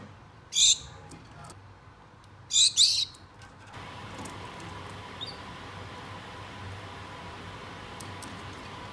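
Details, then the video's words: A pair of pet Gouldian finches calling to a mate: a single high sharp note followed by a quick doubled call, then only steady indoor hum and faint hiss. "GOULDIAN FINCH BIRDS CALLING MATE"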